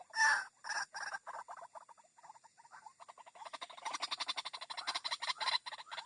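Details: White-breasted waterhen call used as a lure to draw birds out of bushes: rapid series of harsh, pulsed notes, at first spaced and irregular, then faster and louder toward the end.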